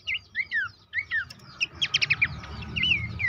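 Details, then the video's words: Horsfield's babbler, lure recording for caged birds: falling whistled notes open the phrase, then a short burst of rapid sharp chips, then further slurred whistles, with steady low background hum throughout. "terapi pancingan dan masteran burung pelanduk semak bikin aktif rajin bunyi"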